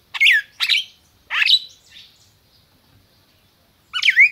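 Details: Captive-bred red-crested cardinal in Brazil singing: three loud, rich down-slurred notes in quick succession, a pause, then a final bright, twisting phrase.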